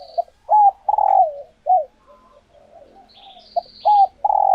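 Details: Female spotted dove ready to lay, held by a keeper, cooing to rouse males into answering for mating; low throaty coo phrases repeated twice, each with a bent note followed by a longer rolling burr, with faint high twitters.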